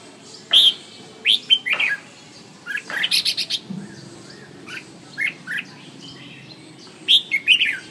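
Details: Red-whiskered bulbul singing: bright, sharp whistled notes and short chirpy phrases in scattered bursts, with a louder cluster near the start and another near the end, over a quiet background hiss.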